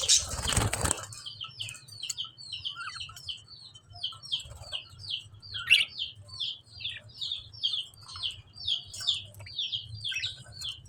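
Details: Lovebird chirping in a long, steady series of short, high, downslurred chirps, several per second. A loud rustling burst opens the recording, with a faint low hum throughout.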